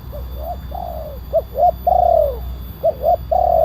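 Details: Spotted dove lure call of the kuk 1 style with a big voice, used to draw down wild doves: short paired hooting coos followed by longer, slightly falling coos, low and mellow over a steady low hum.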